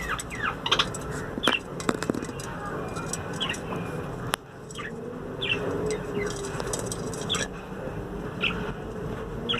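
Budgerigars give short, bright chirps that sweep up and down in pitch, repeated irregularly over steady background noise.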